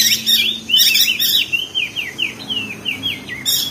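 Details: Crested white-eye from Lombok, West Nusa Tenggara, in the ngeriwik song style used to train caged birds to sing: a rapid run of short, high, downward-slurred chirps, about two per second, broken by loud buzzy chattering bursts at the start and end.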